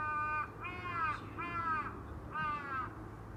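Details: Four strong, raspy crow caws, each about half a second long and evenly spaced, with low hum underneath.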